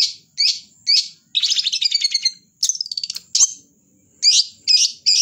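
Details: Long-tailed shrike singing energetically: clipped harsh notes mixed with fast buzzy rattling trills and sharp downward slurs, delivered in quick succession with a short silent gap midway.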